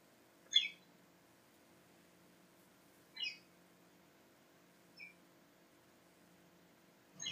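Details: Australian parakeets indoors, opening gifts: four short, sharp harmonic chirps spaced a few seconds apart, the first loudest, against a quiet room hum.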